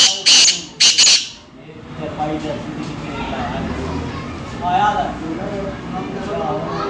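Black francolin gives three loud, harsh, grating notes in quick succession in the first second, followed by quiet murmuring voices and low background noise.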